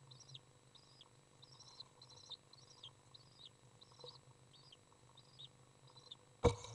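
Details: Common swift young in a nest box on June 18th 2011, calling while a parent arrives to feed: thin high chirps repeated about twice a second over a low steady hum, ending in a sudden loud rustle.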